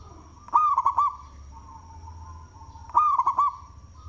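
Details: Big-voiced local zebra dove cooing, used to lure other doves: two quick phrases of clipped notes and rolled coos about two and a half seconds apart, with a soft steady tone and high whine between.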